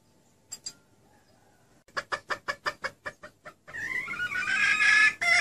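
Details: A female red junglefowl, used as a lure call for males, clucks about nine times in a quick, even run, then breaks into a loud, harsh, rising cackle.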